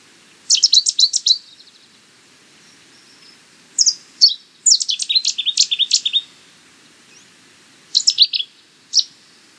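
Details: Cetti's warbler song: sudden, explosive bursts of loud, ringing staccato notes, each about a second long, with short pauses between phrases; a bird often sings once from cover in dense vegetation near water.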